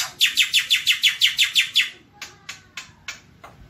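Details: Black-winged myna (jalak putih) in a nonstop tutoring recording gives a fast run of about nine harsh, scratchy chattering notes, then four slower, fainter ones spaced about a third of a second apart.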